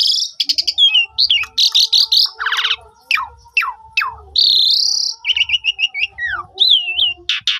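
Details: Asian pied starling lure song, phone-recorded to trigger other starlings to sing: clear whistled phrases, grating rattles, steep descending whistles, a long wavering high whistle, then quick repeated chirps and a closing harsh burst.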